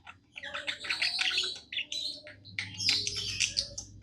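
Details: Pet budgerigar happily singing a fast, squeaky, slightly grating warble in two dense bursts.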